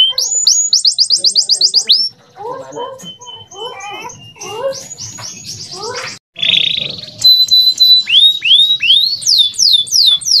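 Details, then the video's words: Male canary singing clear tutor song meant to train young canaries: rapid high rising trills, then a varied middle passage of lower buzzy and chattering notes, a pause, and fast repeated upslurred whistles to the end. "MASTERAN BURUNG KENARI PAUD AGAR CEPAT BUNYI DAN GACOR - kenari jantan gacor jernih"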